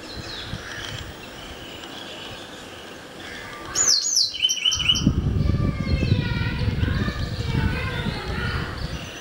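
White-browed wagtail giving a burst of loud, high whistled notes that slur downward, then softer varied chirps, over steady low wind rumble and faint background birds.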